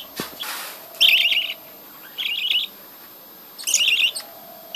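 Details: Budgerigars in a breeding colony give three bursts of bright, wavering warbled chirps about a second apart, with quiet pauses between.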